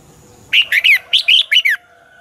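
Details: Caged red-whiskered bulbul giving dueling song as a lure bird: a single cheerful phrase of about six loud, looping whistles that rise and drop, over a faint steady background hum.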